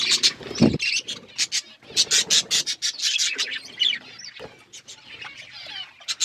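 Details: Budgies chirp in short clipped bursts and squeaky twitters, with a low thump near the start and gaps between the louder calls.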